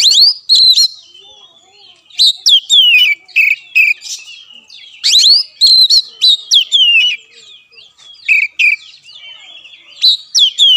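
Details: Song of a kept Oriental magpie-robin, played to train a reluctant caged bird: rapid runs of sweet whistles and chattering notes in repeated bursts, with short gaps between the bursts.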